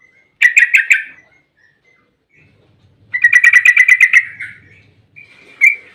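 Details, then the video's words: Yellow-vented bulbul in long 'ropel' style, meant to provoke other bulbuls into answering: two bursts of rapid, chattering bubbly notes, the second longer at about a second, separated by a pause, with a short final note. "trucukan gacor ROPEL PANJANG buat pancingan trucukan agar bunyi"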